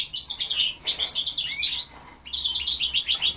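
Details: Goldfinch × linnet hybrid producing quick chattering phrases with upward-sweeping whistled notes and a run of evenly repeated chirps near the end.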